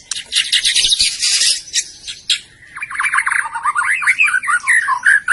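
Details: White-rumped shama from Medan in song, pouring out rich, rapid chattering phrases that move from high scratchy trills to lower warbled whistles and ringing notes.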